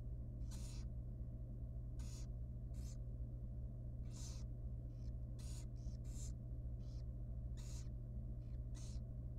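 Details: Small wild barn owl nestling at feeding time in a nest box. Rapid, irregular series of harsh, airy hissing calls, often paired, runs throughout with a steady mechanical hum underneath.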